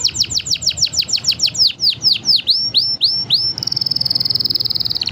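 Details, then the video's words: Five canaries sing a training song: a series of bright swooping downward notes that slow and lengthen, then a fast, even, high buzzy trill to the end. "5 canary birds singing / best training song"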